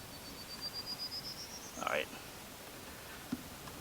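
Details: Northern Parula singing in woods at abandoned Centralia, Pennsylvania: a thin, buzzy trill climbing steadily in pitch over nearly two seconds, cut off by a brief rustle, then a quiet forest hush.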